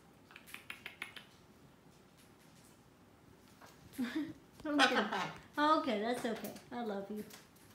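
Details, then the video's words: Female pet blue-and-gold macaw practicing her singing indoors gives a run of wavering, voice-like sung phrases that rise and fall, going from sweet to loud, preceded by a few light taps and clicks. "the macaw singing"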